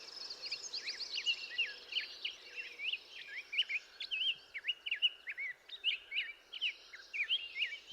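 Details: Black-headed Grosbeak singing in cottonwoods at Highwood Creek, Montana, USA, July 9, 2025: a rich run of quick, whistled, up-and-down notes, high and sweet, with other chirping birds and a steady background hiss.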